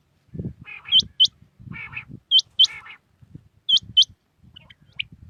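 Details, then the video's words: Common quail singing in the early morning in Pakistan: soft low grating notes, then a pair of sharp, high, whip-like notes. The phrase repeats about every 1.4 seconds, three times, over faint low rumbling. "Batair Ki naye Awazay| New Common Quail sounds| Batair Ki Awaz | Quail singing early morning in pak"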